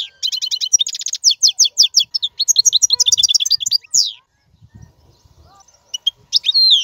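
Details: European goldfinch song, played for teaching caged young birds to sing: a fast, dense run of bright tinkling twitters and buzzy chirps, a short pause, then more liquid twittered notes, in a quiet setting with faint low knocks.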